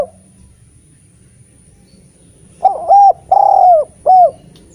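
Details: Several seconds of near silence give way to a Eurasian collared dove's three-note coo, short, long and short, used to prompt spotted doves that rarely sing.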